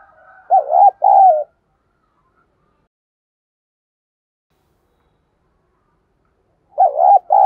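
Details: Decoy spotted dove in the thổ voice style, cooing to quickly provoke wild doves: two short, deep, wavering coo notes near the start, a long silence, then another pair of throaty coos at the end.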